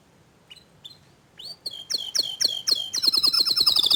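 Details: Young canaries react to a loud, continuous gacor dor canary song. A few soft chips build into a series of sharp descending sweeps about three per second, then switch into a fast, bright, buzzy rattle.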